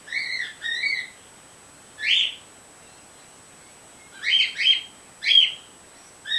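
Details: Female white pet bird, lately newly vocal, recorded through a screen door with a male bird nearby: short nasal, slightly rising call notes, two quick ones, a pause, then a cluster of three and a final note, over quiet background.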